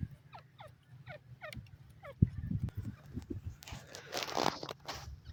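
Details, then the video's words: Grey francolin (dakhni teetar) gives a brief series of falling, slurred notes. Clattering, rustling noise and a broad hiss then take over the second half. "dakhni teetar sound, teetar fun, teetar ki awaz"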